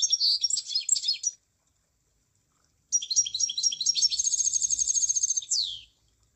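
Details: A munia gives a short burst of high chirps, falls silent for over a second, then sings a longer phrase of stuttering notes running into a fast buzzy trill that ends in a downward slur.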